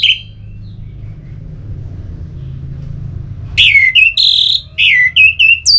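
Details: Orange-headed thrush singing, a sound meant to rouse other birds into song: after a brief opening note and a quiet stretch of low hum, a run of clear, high, slurred whistles tumbles out in quick succession.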